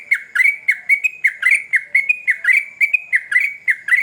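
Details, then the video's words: Yellow-vented bulbul (trucukan) in full, vigorous song, used as a lure that other trucuk birds answer: rapid chattering run of short bubbly notes around a mid pitch, about a dozen in four seconds, with no other sounds. "Trucukan Gacor Ngamuk Bikin Candu Semua Burung Trucuk pasti Nyaut"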